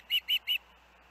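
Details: Osprey at the Hellgate nest with young, August 2024: three quick, loud, high-pitched whistled chirps, evenly spaced, then quiet with a low steady hum.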